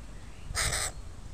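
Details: A crow of a family with young birds in a park gives one short, hoarse caw of about a third of a second over low background rumble.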